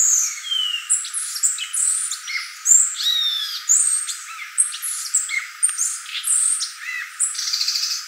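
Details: Violaceous euphonia singing a dense, varied medley of high squeaky notes, short whistled slurs and chattering phrases that follow each other almost without pause, with brief louder bursts throughout.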